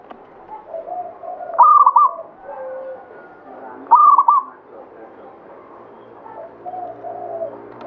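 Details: Local zebra dove of the Banyumili katuranggan type singing actively: two loud bursts of rolling, stuttered cooing about two seconds apart. Softer cooing from other doves fills the background.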